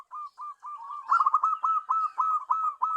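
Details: Decoy zebra dove for attracting wild birds gives spaced, smooth coos that quicken into a denser run of bright repeated notes, steady in pitch throughout.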